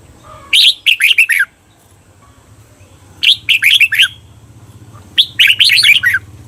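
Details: Red-whiskered bulbul, a cage bird, song played as a training recording to teach the repeated 'double' phrase: three bursts of five or six bright, slurred notes swooping down, each burst about a second long and spaced about two seconds apart, with a faint low hum.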